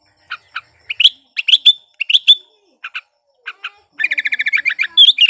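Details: Breeding-condition sooty-headed bulbul in full song, used to coax lazy bulbuls into singing: spaced bright chirps and slurred notes, ending in a fast chattering run of about ten rapid notes and a rising whistle.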